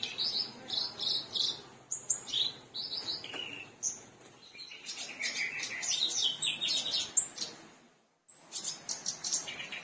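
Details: Black-browed reed warbler singing actively, kept as a songbird in Indonesia; a fast, varied chattering song of high buzzy trills, sharp chips and scratchy notes in rapid bursts, with a brief pause near the end.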